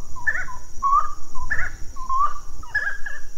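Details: Grey-cowled wood rail (Aramides cajaneus) giving loud, ringing, mid-pitched notes with squealing upward slurs, repeated about every half second over a faint steady background hiss.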